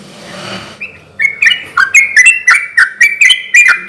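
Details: Yellow-vented bulbul singing as a lure to get other bulbuls answering; after a brief rustle, a quick series of clear, bubbly slurred notes follows at an even, rapid pace.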